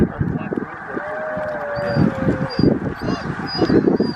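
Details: Snow geese in a huge flock at Middle Creek Wildlife Management Area in Stevens, Pennsylvania, USA, 26 February 2023. Nasal honks overlap in a thick, steady clamour, with one drawn-out call standing above the crowd.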